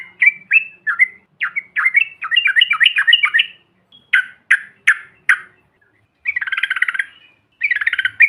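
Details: Trucukan of several yellow-vented bulbuls, used to incite other birds: separate chirps building into rapid warbled chatter, then isolated sharp notes, and two harsh buzzy bursts.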